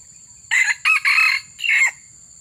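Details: Red junglefowl crow heard while trapping wild junglefowl with a lure: four rasping phrases in about one and a half seconds, the third longest, over an unbroken high-pitched hum.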